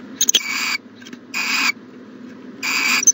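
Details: Nest-box owl on the morning of 14 January 2020 giving three harsh hissing bursts, about half a second each, with a few sharp clicks and taps at the start and end.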